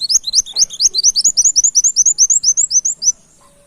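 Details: Brown-throated sunbird in energetic song, firing off canary-like notes, recorded as a lure: a fast, steady run of about twenty bright, high upslurred chirps over three seconds, then quiet.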